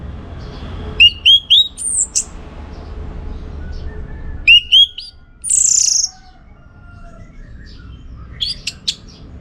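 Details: Orange-headed thrush performing as a master bird for contest training: short bursts of looping, upswept whistles separated by long quiet gaps, with one loud hissing, descending phrase in the middle.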